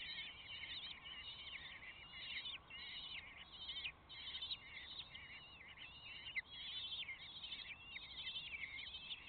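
Common kestrel chicks begging: an unbroken stream of high, shrill, trilling whines from several overlapping voices, over a faint background hiss.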